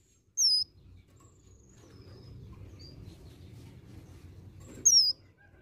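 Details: Two sharp, very high, downslurred whistles several seconds apart from an olive-backed sunbird whose song includes varied imitations of other birds, with faint thin notes between.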